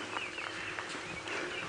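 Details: Orioles calling during a sunset safari drive at Djuma Game Reserve around 5:30 PM on 7 November 2016: several liquid, slurred whistles that rise and fall, overlapping against a steady hiss of bush noise.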